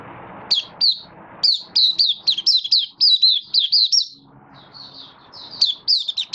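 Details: Malaysian Oriental white-eye, a caged bird in minor moult, opening into song: a rapid run of high, slurred, whistled notes repeated about every quarter second, a brief pause, then more tumbling phrases over a soft low hum.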